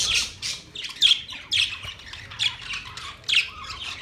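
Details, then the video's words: Budgies squawking in a series of loud, rasping chirps about every half second, fairly evenly spaced, bright and grating, over quiet low background noise. "Budgies chirping sounds"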